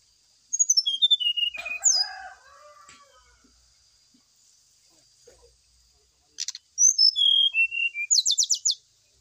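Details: Brown-chested jungle flycatcher lure and therapy song, played while birds are set out in the early morning dew to make them sing their full repertoire quickly. High whistled notes, slurred and descending, then a dense burst of rapid chirps and a trailing run of falling whistles, over a steady high hiss.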